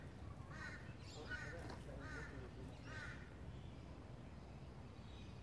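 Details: Rainbow lorikeet in south east Queensland giving four harsh, raspy screeches about every half second to second, over a steady low rumble of background noise.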